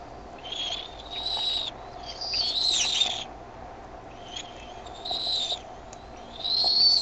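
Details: Bald eagle eaglets at the Decorah nest, 13 May 2015, 6:35 PM CDT, growing noisier as the mother lands with food. One eaglet spreads its wings. High, thin squealing chitters come in four bursts over a steady low hum.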